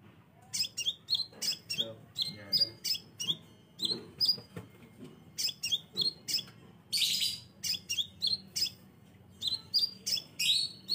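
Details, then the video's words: Scarlet minivet lure song: high, thin whistled chirps in quick bursts, roughly two per second, with a few harsher buzzy notes mixed in. "suara pancingan burung sepah raja"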